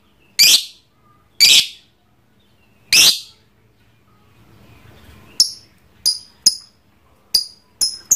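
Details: Trondol lovebird kept as a pet, giving three loud harsh screeches about a second apart, a short pause, then a row of thin, sharp chirps in ngekek chatter.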